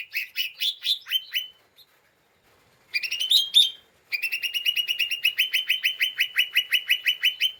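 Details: Agitated lesser green leafbird, a caged songbird, chattering to provoke other birds: bursts of sharp, rapidly repeated buzzy notes, a short pause, then a long steady chatter of evenly spaced harsh notes over several seconds.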